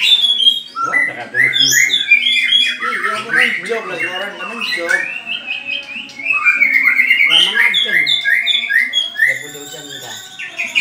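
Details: White-rumped shama, caged, in a mental test against a rival bird, delivering a long varied song of quick whistled and buzzy notes with lower chattering sounds underneath.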